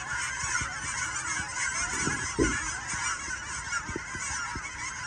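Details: Canada geese recorded in 2023: many birds honking at once in a thick, unbroken chorus, with a few louder nearer honks around the middle and soft low knocks throughout.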